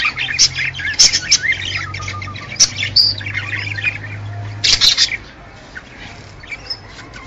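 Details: Budgerigar males in mating song, sung to excite both sexes to breed: busy bursts of harsh chirps and warbles for about five seconds, then fading to sparse soft squeaks over a low hum.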